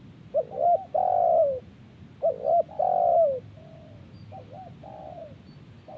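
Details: Spotted dove calling in answer to wild birds; low, mellow coos, two short notes followed by a long drawn, slightly falling coo, the phrase repeated about every two seconds.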